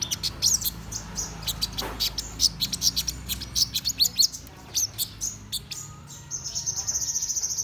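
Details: Black-throated sunbird singing in the morning: rapid bursts of very high, thin chirps and sharp ticks, then a fast, even, high-pitched trill at the end, over a faint low background hum.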